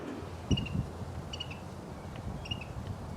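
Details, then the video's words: A Carolina wren at the Ohio State University wetlands on January 25th, recorded while birdwatching, gives short, bright double notes about once a second, fairly faint over a steady low rumble of distant traffic or wind. "Right in this clip, you're hearing a Carolina wren."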